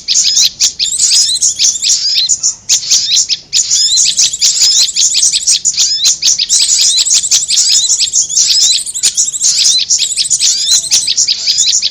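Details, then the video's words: Sound lure of prinia and korlap: continuous, busy, high-pitched chattering with rapid scratchy chips and brief pauses throughout. "Suara pikat korlap dan Prenjak bawah"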